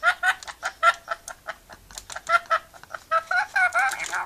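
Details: Rainbow lorikeet having fun chatting and laughing, a steady stream of squeaky, chuckling notes repeated several times a second.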